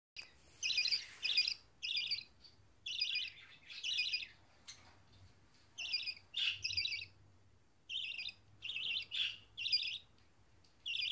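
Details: Budgerigar chick giving harsh, raspy, high-pitched bursts, often in pairs, repeated about once a second against a quiet background.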